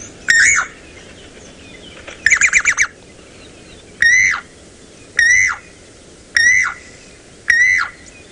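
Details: Levaillant's cuckoo at sunrise, about 5 AM on 3 January 2018 in the Sabi Sands, South Africa, gives loud, ringing, repetitive down-slurred notes, first a quick chattering burst, then single calls about every second, over soft hiss.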